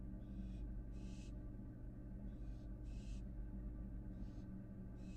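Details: Fledgling American barn owl back at a Florida nest box after leaving it: a series of six rasping hisses, roughly one per second, some louder than others, with a steady low background drone.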